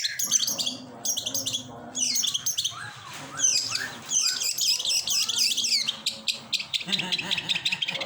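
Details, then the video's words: Long-tailed shrike delivering a busy medley of harsh rasping bursts, quick chirps and brief sliding whistles, packed closely together with only short pauses, over a low background hum. "suara burung pentet"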